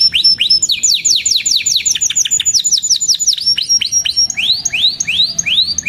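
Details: Canary singing energetically as a tutor song for young birds: rapid series of high, downward-slurred whistles, changing phrase types, ending with slower rising sweeps spaced about half a second apart.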